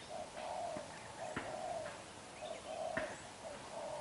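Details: Young wild-caught spotted dove with black eyes cooing intensely: repeated mellow coo phrases of two or three soft notes, evenly paced, broken by a few sharp taps.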